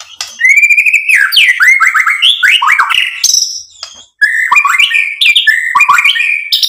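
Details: White-rumped shama song used as a lure to excite other shamas into answering with full, rich song: loud, varied whistled phrases that slide up and down, mixed with buzzy notes and quick trills, nearly continuous apart from one brief pause.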